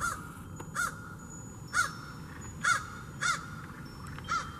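A crow gives six harsh, hoarse caws, spaced roughly a second apart at an uneven pace, over a quiet outdoor background.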